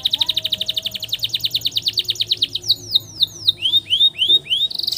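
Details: Long canary roll meant as master song for young canaries: an extended rapid trill of descending strokes slows into separate downslurs and upward swoops, ending in a brief buzz.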